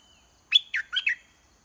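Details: Red-whiskered bulbul singing from a cage as a decoy to provoke a wild bird into fighting; four crisp, warbling whistled notes in quick succession, bright and clean against a quiet background.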